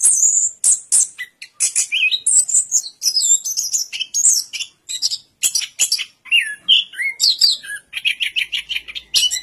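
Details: Orange-headed thrush singing a fast, varied song of high chirps, sharp buzzy notes and short whistled slurs, phrases tumbling together almost without pause.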